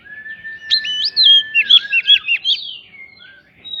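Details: Oriental magpie-robin lure song with prinia imitations, used to get other birds singing: a steady low whistle, then a burst of rapid hooked chirps about three per second, fading into soft trailing tones.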